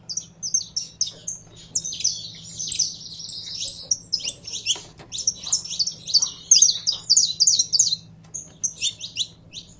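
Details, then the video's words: A kept saffron finch, warming up, delivers a dense run of high, rapid chirps that crowd together in the middle of the phrase, then thin out into separate notes. A faint low hum runs underneath. "Canário da Terra Esquentando em 3 2 1!!!"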